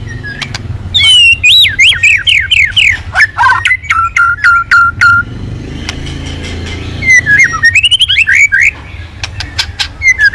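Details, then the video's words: White-rumped shama in full song as a lure to get other birds singing: series of repeated zigzag whistled notes, then a run of level clipped whistles, a pause, and another rising-falling whistled series. "Pancingan Burung murai Crpat gacor"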